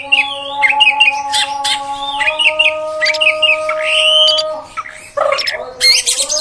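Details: Female oriental magpie-robin voice meant to rile males, used to train long singing; a string of fluid looping whistles for four seconds, a short pause, then harsher chattering notes over a continuous tonal hum.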